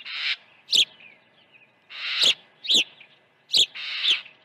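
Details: At the nest during early feeding on a June 2019 morning, an osprey gives harsh, buzzy screeches paired with sharp, high whistled chirps, repeating roughly every second or two.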